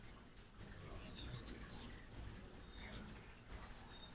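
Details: Morning at a feeder in Oxford, Mississippi, as ruby-throated hummingbirds pass through on fall migration; sharp, tiny high-pitched chips come in quick irregular series over steady low hiss.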